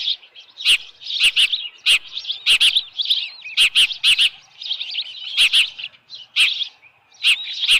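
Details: Osprey nest at Dunrovin Ranch, evening of 10 June 2018, a headless fish brought in: high-pitched chirping calls in short bursts, broken by repeated loud clicks and knocks roughly every half to one second.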